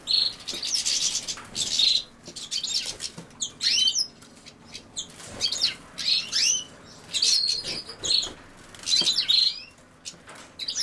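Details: European goldfinch near common sowthistle pouring out high, jingling twitters in repeated phrases about a second long, each packed with rapid chirps, trills and thin buzzy elements, broken by short quiet gaps.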